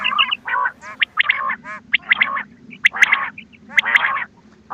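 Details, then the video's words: Quail sounds used for hunting lures: rough, grating bursts with rasping texture, spaced roughly a second apart, with brief sharp high notes between them and a low background hum. "بٹیر کی آواز شکار کیلئے quail bird sounds for hunting bater ki awaaz"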